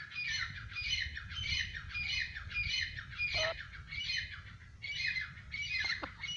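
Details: Francolin, also called partridge or Irani tetar, repeating harsh, rasping stacked call notes about one and a half times a second, with a low rumbling background hum.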